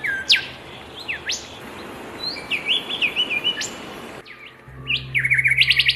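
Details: Zebra finch singing bright chirps and quick up-and-down whistled sweeps, ending in a rapid run of buzzy repeated notes. A low hum joins near the end.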